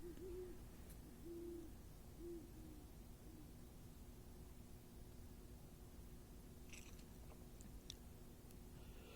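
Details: Great horned owls (Bubo virginianus) hooting at night in a forest beside a street, three soft, low, hollow hoots about a second apart over steady hiss; possibly one to three owls, others possibly saw-whet, on an unusually active owl night.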